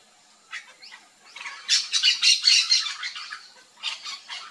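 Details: Backyard flock of Yellow-chevroned Parakeets feeding on fruit in Brazil: a few scattered chirps, then a burst of rapid overlapping shrill squawks, a brief lull, and another short chattering outburst.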